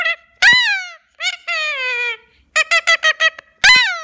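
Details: Parrot vocalizing indoors: a series of clear, harmonic, nasal syllables, some long and gently falling, others short and clipped in a quick run of about six notes, with brief silences between phrases.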